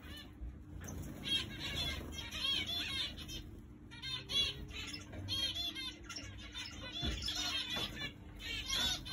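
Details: Several zebra finches together in an aviary flight, waiting to go into breeding cages, giving short nasal, buzzy calls repeated in overlapping bursts throughout, with a steady low hum and faint room noise beneath.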